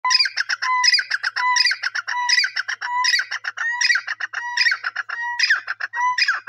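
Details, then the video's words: Francolin calling, a loud, harsh, rhythmic series of repeated phrases about every 0.7 seconds, each opening with a clear steady whistled note followed by rapid scratchy, clucking syllables, with no other sounds. "amazing teeter sounds"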